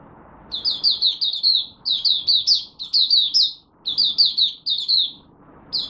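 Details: Malaysian oriental white-eye (mata puteh) in buka sing warm-up, first of the day, 01/08/2023: rapid high whistled phrases of four to six downslurred notes, separated by short silences.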